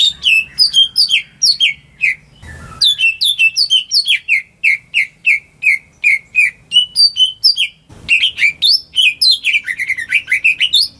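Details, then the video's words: A greater green leafbird kept at home, singing as a lure for silent birds: rhythmic run of slurred whistles with high sharp accents, a short noisy break, then faster tumbling varied phrases. "Cucak Ijo Rumahan Yang Cocok Buat Pancingan Burung Macet"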